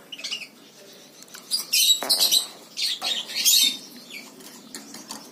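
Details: Lory parrot giving harsh, raspy, high-pitched screeching bursts, a loud noisy cluster near the middle and another a second later, between softer scratchy chatter and short pauses.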